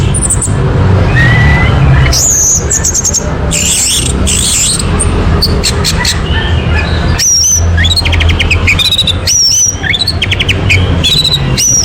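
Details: Song of an orange-headed thrush used as a lure to set a bird singing: mixed whistles, buzzy bursts and quickly repeated rising notes, with a strong low droning background throughout.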